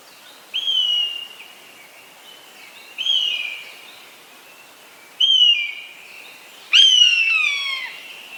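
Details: Large raptor, the Eastern buzzard, calling four times at steady intervals. Each call is a plaintive, whistled mew that falls slowly in pitch. The last call is the loudest and harshest, and there is little else in the background.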